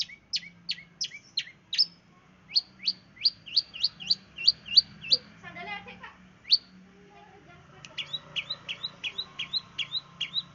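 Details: Long-tailed shrike of the East Java 'sembur' song style, used as a lure for other birds: sharp, high downward-sweeping chips repeated about three per second, a brief pause, then a faster series of hooked notes, with faint low hum beneath.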